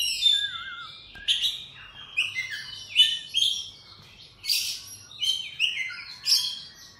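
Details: Oriental magpie-robin (Copsychus saularis) singing in the morning: a rich, varied run of clear whistled and slurred notes mixed with short buzzy, scratchy bursts, delivered in quick phrases separated by brief pauses, with no other clear sounds.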